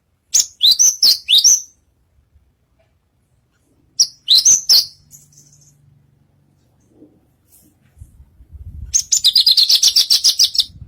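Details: Lark singing on stage at a bird contest, delivering bursts of loud, high, sweeping chirps and rapid trills, with pauses between phrases and faint low rumble from the surroundings.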